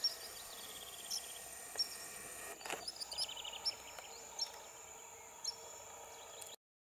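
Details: White-rumped Sandpiper, a wintering long-distance migrant from Arctic tundra, near old Mutum Paraná, Rondônia, Brazil, gives thin, very high, squeaky tseet calls at irregular intervals over steady insect hiss and a few faint chirps.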